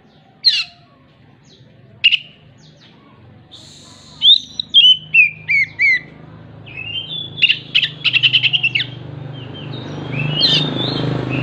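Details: Oriental magpie-robin (Copsychus saularis) singing mimicry song: sharp chirps and a run of falling whistled notes, then a quick repeated clucking burst copying a hen that has just laid an egg; low background rumble.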